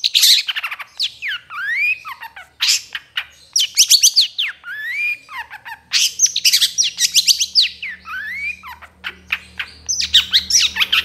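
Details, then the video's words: Training recording of Long-tailed Shrike (cendet trotol) song for other birds: harsh rasping bursts alternating with sweeping rising and falling whistled slurs, continuous and energetic, over a faint low hum. "MASTERAN CENDET TROTOL"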